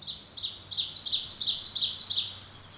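An Ovenbird sings a loud, ringing run of two-note "teacher" phrases, about seven in quick succession, growing stronger toward the end against faint background hiss.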